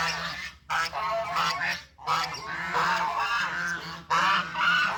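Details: Foraging farm geese walking together, producing bursts of loud, nasal honking, several overlapping voices with sharp breaks between bouts.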